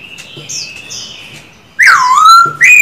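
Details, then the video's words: Silver-eared laughingthrush, caged male in daily song practice: a quiet thin held whistle, then a loud bright note falling steeply into a long low glide, with another rising note starting. "Khướu bạc má hót quá đỉnh, 60 phút luyện giọng mỗi ngày."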